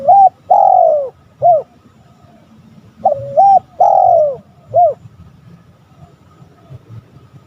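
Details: Spotted dove calling to lure rival males, two mellow phrases three seconds apart, each a quick double coo, a drawn-out descending coo and a short last note, then quiet background hum.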